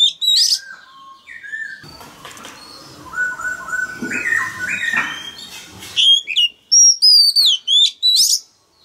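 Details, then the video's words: Song of a male oriental magpie-robin used to coax a young bird into singing: opening high whistles, a noisy middle stretch with stepped lower tones, then a rapid burst of short high whistled notes at the end. "Choè than trống hót réo kích bổi mở mỏ hót theo"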